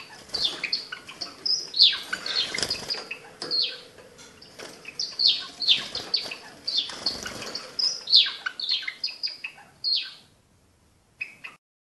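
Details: Java sparrow from a private breeder, kept in captivity, giving bursts of high twittering chirps and clicking notes with short sweeping whistles. Fluttering, rustling noises are mixed in, and the singing fades to near silence in the last two seconds.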